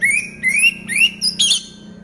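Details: Caged orange-headed thrush singing during moult: four loud whistled notes in quick succession, each sliding upward, the last more complex and warbled, all within two seconds.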